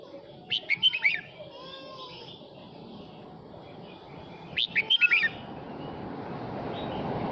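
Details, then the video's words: Male red-whiskered bulbul singing to call its flock, giving two quick phrases of four to five lively, slurred whistles about four seconds apart, with a soft rushing hiss building toward the end. "Chào mào trống hót gọi đàn"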